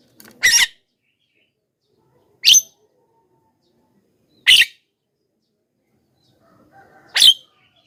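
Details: Lively Javan myna calling to lure wild mynas and prompt others to reply; four harsh, rasping squawks repeated about every two seconds, with faint low chatter before the last.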